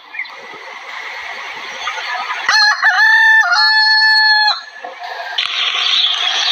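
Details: A desi rooster gives one loud crow lasting about two seconds, harsh and ringing, with a brief rise then a long held note, over steady hissing background noise.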